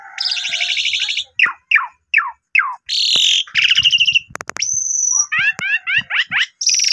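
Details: Asian pied starling in full, active song from a lure recording for prompting quieter starlings: rasping buzzy phrases, a run of quick downslurred chips, a long high whistle, then zigzag twittering notes.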